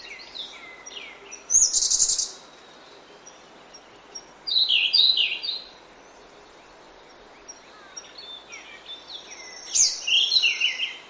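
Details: A grey-backed thrush sings prominently in oak woodland in the early morning, three varied, fluty phrases separated by pauses, while a thin, rapidly pulsed high note runs steadily underneath.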